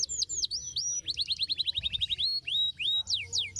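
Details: Canary singing: a few clear falling whistles, a fast even trill of short notes, then rising and dropping whistled slurs, lively and varied, meant to get silent canaries singing.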